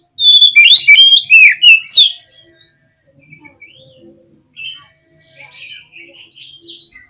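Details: Oriental magpie-robin in agitated song to provoke other birds, opening with over two seconds of loud, rapid, rising and falling whistles and clicks, followed by quieter scattered whistled phrases.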